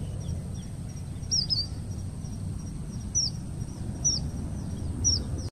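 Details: Introduced red avadavat from Asia, recorded in Madrid's Parque del sureste: four short, high, downward-slurred chirps spaced about a second apart, faint above a continuous low-pitched rumble.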